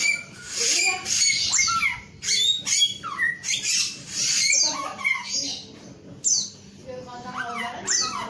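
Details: Singing male Chinese Hwamei gives loud swooping whistles that drop steeply in pitch, spaced by brief pauses, between raspy, chattering notes.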